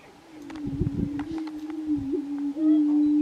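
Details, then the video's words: Lekking grouse in Colorado, recorded in 2023: a constant low drone with irregular muffled popping bursts early on and a short rising whine near the end. "Colorado Lekking Grouse"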